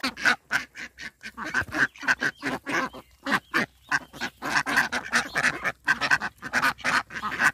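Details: Indian Runner ducks on a backyard pond in a rural setting, a rapid run of short harsh quacks repeated several times a second, overlapping as more than one duck calls, with no other sounds standing out.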